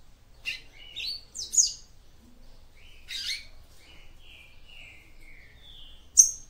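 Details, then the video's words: Song of a female papa-capim seedeater to stimulate a male: sharp buzzy chips, a harsh burst, then a series of level, drawn-out thin whistles at slightly different pitches, ending with a sharp high note. "CANTO DE FÊMEA PAPA CAPIM PARA ESQUENTAR SEU MACHO"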